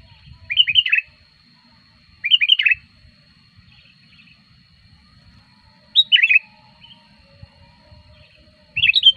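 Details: Sooty-headed bulbul calling as a lure for wild bulbuls: four brisk phrases of three or four liquid, slurred notes, spaced irregularly a few seconds apart, with light low background noise.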